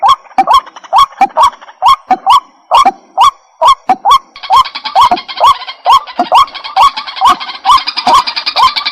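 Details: White-breasted waterhen repeating harsh, rising croaks roughly twice a second, with a steady high-pitched hiss or insect-like drone growing louder in the second half.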